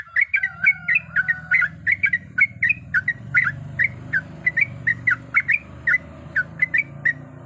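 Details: Female sooty-headed bulbul calling a male: brisk runs of short whistled, slurred chirps, clustered then more spaced, over a steady low rumbling hum in the background.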